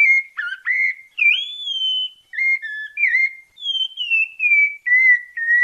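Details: Melodious santa fé song of a sabiá parda thrush from Bahia: quick twisting whistles open, followed by a long upward-swept whistle and a series of fluting notes that descend step by step, in clean surroundings.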